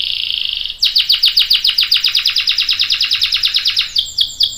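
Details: A singing canary used as a lure: a short steady buzzy note gives way to a fast series of sharp chip-like pulses, about eight per second, ending in a few louder separated notes.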